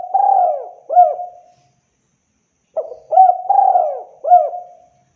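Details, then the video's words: Clean, clear spotted dove call for luring: the end of one cooing phrase, a pause of about a second, then a full phrase of short hoots and long, mellow falling coos with a final soft note. "SUARA BURUNG TEKUKUR BERSIH JERNIH COCOK UNTUK PIKAT"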